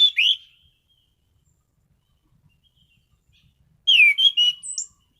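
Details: Orange-headed thrush in a cage, giving a brief whistled note, then after silence a loud slurred descending whistle followed by a few sharper high notes.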